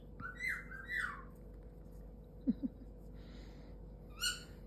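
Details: Pet galah (rose-breasted cockatoo) snuggling with its owner, talkative: two harsh, harmonic squawks in the first second and a half, a couple of soft thumps midway, then another short squawk near the end, in a quiet indoor room.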